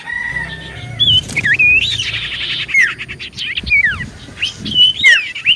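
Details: Common iora in energetic song used as a lure to draw replies: a steady whistle, then rapid slurred whistles and buzzy chatter, dense high trills, and a faint low hum beneath.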